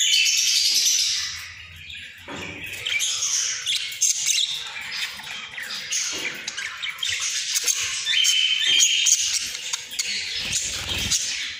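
Budgerigars chatter in a busy, high warble of squeaks, chirps and scratchy notes.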